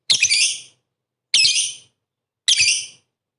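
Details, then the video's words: Three harsh, grating, high-pitched calls from a lovebird, about a second apart, each with a brief scratchy onset, from a recording used to goad rival lovebirds. "pancingan MP3 bikin emosi lovebird kalian tarung tingkat tinggi"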